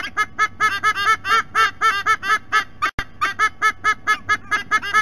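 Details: Pair of adult White-bellied sea eagles vocalizing at their nest in Sydney Olympic Park, Australia, seen on a nest camera; rapid, nasal honks repeated over two per second, a brief dropout midway, then the goose-like series resumes.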